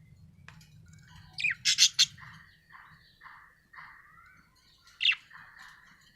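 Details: Pet budgerigar chirping happily: a pair of loud sharp squawky notes near two seconds and another at five, between them a run of soft short warbled chirps repeated about every half second, over faint low hum at the start.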